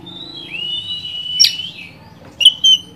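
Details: Oriental magpie-robin provocation song: a long, high, sustained whistle that slides downward, a brief sharp note, then short bright whistled notes near the end, over a soft low background hum.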